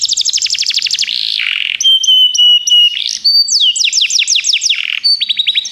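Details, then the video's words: Canary song for training: fast descending trill, a buzzy passage, clear held whistles stepping in pitch, then spaced sweeping notes and a closing quick trill. "Canários Begie cantam muito - o melhor treinamento canário para você"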